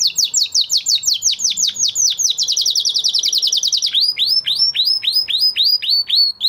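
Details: Canary after its moult delivering a fast series of downward-sweeping notes that speed into a rapid roll, then slows into looser, evenly spaced upward-curving notes.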